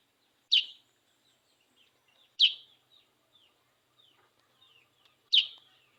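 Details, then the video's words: Sooty-headed bulbul singing after bathing: three sharp, loud, downslurred notes spaced two to three seconds apart, with soft, thin twittering in the quiet gaps. "Kutilang sutra gacor habis mandi gacor dulu"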